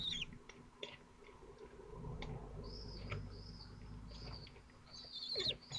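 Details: Young falcons at twelve days old, Théding, 22 June 2023, feeding on prey too large to swallow easily. Short, high, slurred squeals are spaced over a low rumbling background, with a louder call at the end.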